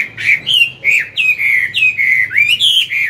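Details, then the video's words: Chinese hwamei, a mature wild-caught bird in morning song used to coach a young one, delivers loud continuous slurred whistles, notes rising and falling in rapid sequence. "Luyện giọng họa mi hót sáng, kích bổi mau căng lửa."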